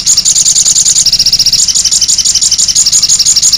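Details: Sogon bird song: a fast, steady stream of high, sharp chirps, about two per second, running unbroken throughout, with a faint low hum underneath.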